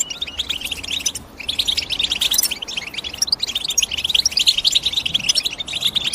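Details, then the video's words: European goldfinch chirping sound, a quieter opening giving way to a dense, rapid chatter of high tinkling notes and buzzy trills. "The GOLDFINCH CHIRPING SOUND Nobody Tells You"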